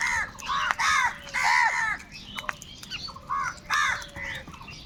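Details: Huge numbers of crows fighting for food; a run of loud, throaty, down-curving caws in quick succession, then a short lull and another burst of harsh calls.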